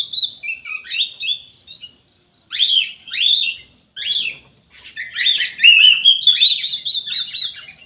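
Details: Vigorous song of an Orange-headed thrush: twittering high notes, then a series of separate arched whistles about one second apart, breaking into a fast, rich, run-on warble of mimicked phrases.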